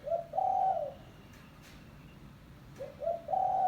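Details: Spotted dove call used to lure doves for trapping: two phrases, each a short coo followed by a longer, slightly falling drawn-out coo, over a quiet steady hum.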